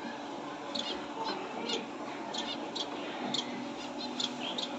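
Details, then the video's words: High, sharp finch chirps come in clusters, some paired, at irregular moments against a faint constant hum in a small room. "ফিঞ্চ পাখির কিচিরমিচির"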